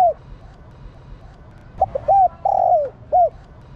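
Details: Female spotted dove calling to excite males. A phrase of short, stuttering hoots leads into a long coo sliding downward, ending on a single arched note.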